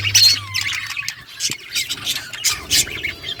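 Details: A budgerigar breeding group squawks harshly, with a short descending whistled note near the start and a string of loud rasping calls about every third of a second, a faint hum early on.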